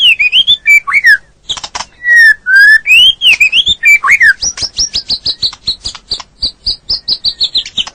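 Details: Captive white-rumped shama song for training a stressed, silent bird: varied whistled and slurred notes at first, then a long rapid run of sharp high ticking notes repeated about three per second.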